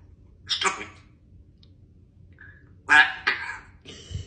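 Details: A female African grey parrot talking back to her owner with attitude gives two bursts of harsh, breathy, speech-like mimicked sounds about two seconds apart, with a brief soft whistle between them.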